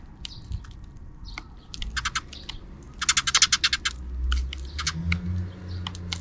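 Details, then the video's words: Afternoon sparrows calling out of frame: scattered faint tweets, then two quick bursts of loud, harsh rhythmic chirps around the middle, followed by a steady low hum. "Even in the afternoon, the sparrows are still making noise outside the camera frame."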